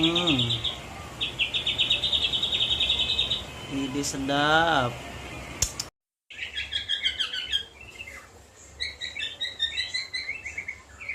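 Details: White-rumped shama song packed with mimicked cililin, jenggot and kapas tembak phrases: rapid buzzy trilled runs, a falling laddered series of notes, a brief silence, then fast jumbled chattering twitters.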